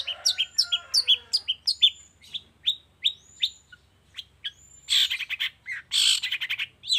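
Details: Long-tailed shrike morning lure song used to trigger singing in shrikes that have gone quiet; a rapid series of short chipped notes, some with a thin whistle, then loud harsh scratchy bursts.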